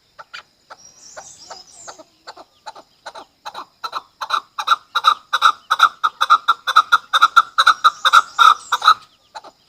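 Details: Chukar partridge, a hunter chakor in Pakistan, giving a string of harsh, clucking chuck notes, about two per second, that grow louder and more insistent; a faint higher twitter sounds early on.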